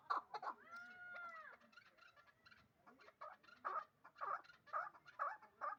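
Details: Caged hybrid partridge, two years old, kept in Dushanbe for fighting and hunting: a long wavering drawn-out cry opens, followed after a pause by spaced harsh chuk notes every half second.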